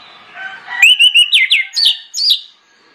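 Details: An orange-headed thrush belts out its lure song for prompting other birds; over quiet background birds, strong whistled notes follow in quick succession, then steep descending slurs and two higher warbled phrases.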